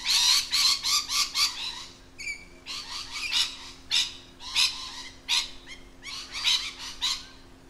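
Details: Lorikeets in their natural habitat give a rapid, almost continuous run of shrill, raspy shrieks with a brief thin whistled note partway through, while a faint low hum runs underneath.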